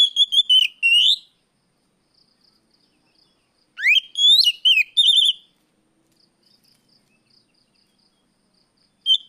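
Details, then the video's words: Riwik plong song of an Oriental magpie-robin in the afternoon, used to coax untrained birds into singing; clusters of loud, ringing whistles, including a steep rising sweep and wavering notes, broken by pauses of several seconds. "suara Kacer sorehari riwik plong pancingan Kacer bahan"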